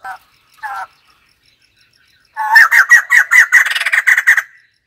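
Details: Two soft, short notes from a white-crested laughingthrush, then a loud two-second run of fast, harsh, chattering cackles that rises into a dense, rolling laugh.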